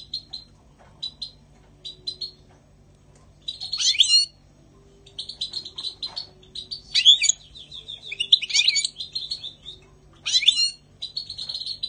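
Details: European goldfinch song recorded in spring 2020: scattered high chips build into dense, jingling twitters and sharp downward-sweeping notes, with short quiet gaps between bursts.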